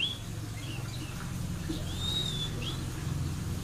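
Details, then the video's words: White-crowned forktail, a recording used as a lure call, gives a few thin, high, drawn-out whistles, one gently arched, over a steady low rumbling hum. "Suara pancingan Kacer air / Meninting besar gacor"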